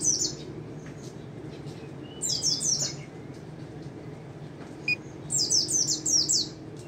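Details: White-eye singing in the 'ngalas nembak' style: two short bursts of rapid, very high, thin descending slurred notes, each about a second long, separated by quiet with faint scattered ticks and a steady low background hum.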